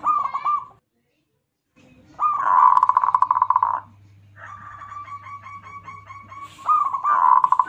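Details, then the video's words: Zebra dove of local stock used as a lure to stir other doves: short bursts of fast, rolling cooing trills on one low pitch, separated by pauses, with a faint low hum in the background. "pancingan perkutut lokal"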